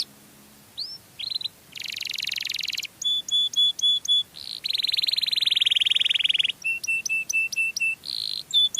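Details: Canary song meant to lure its own kind, alternating buzzy rolling trills with series of bright whistled notes spaced about a third of a second apart, and a long rattling roll in the middle.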